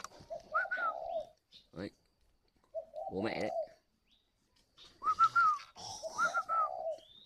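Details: Spotted dove decoy bird calling in the style called gọi hậu: low hoarse coo phrases with a slurred drawn-out note, interrupted by a person talking and a few higher whistled notes.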